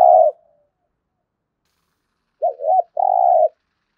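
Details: The tail of one coo, then after about two seconds of silence a full 'thúc gù' phrase from a spotted dove in decoy training: two quick low looping notes and a long even coo.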